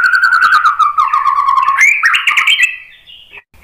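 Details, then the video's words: White-rumped shama song aimed at provoking another bird to sing: loud, rich warbling with fluttering overtones, dipping then climbing into a sweeping phrase before trailing off into a fading whistle. "KICAUAN MURAI BATU merangsang BUNYI jadi NYAUT GACOR NGEPLONG BONGKAR ISIAN ¦ PANCINGAN MURAI"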